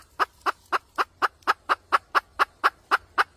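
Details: Red junglefowl hen cackle used for trapping: about twelve even, sharp clucks at four per second, with a faint low hum underneath.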